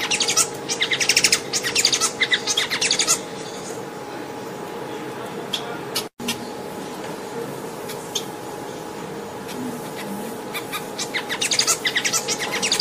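A Bengalese finch sings bursts of rapid, buzzy, scratchy chirps at the start and end, with a quieter stretch between them and a steady low electrical hum throughout.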